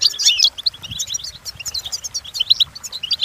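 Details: Training song of a European goldfinch: energetic liquid twitters opening with a loud chattering burst, followed by steady streams of thin, tinkling notes and quick trills.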